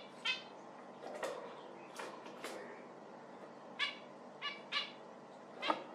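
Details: Zebra finch uttering clear, separate nasal 'meep'-like calls, about eight in six seconds, each a brief harmonic note.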